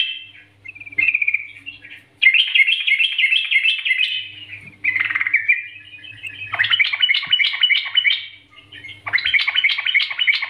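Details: Trucukan bulbul singing a long sequence of bubbling, chattering phrases in repeated bursts, some fast and rattling, with gaps between phrases and a faint low hum beneath.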